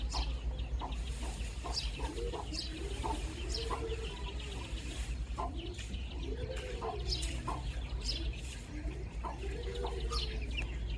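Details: Baby chicks with thin high chirps over repeated low rounded clucking phrases, each a few seconds apart, against a steady low hum.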